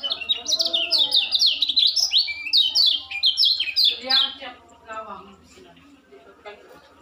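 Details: Juvenile white-eye practising its song, a rapid chatter of high, bright slurred notes repeated in quick succession for about four seconds, then fading to a few soft, scattered chirps and quiet.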